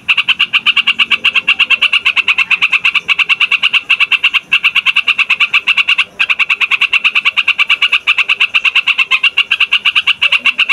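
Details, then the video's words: Yellow-vented bulbul singing a loud, long rolling song for bird trapping and as a tutor for young birds: a dense, steady chatter of rapid bright notes, barely pausing over ten seconds. "TRUCUKAN RIBUT BUAT PIKAT, MASTERAN DAN PANCINGAN TRUCUKAN PAUD DAN OMBYOKAN"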